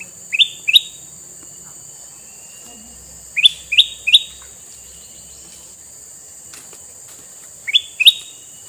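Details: Male sooty-headed bulbul with red eyes, kept to lure wild bulbuls, gives three short bubbly phrases of quick rising-falling notes, each phrase a few notes long, spaced about three to four seconds apart, over a steady high hiss.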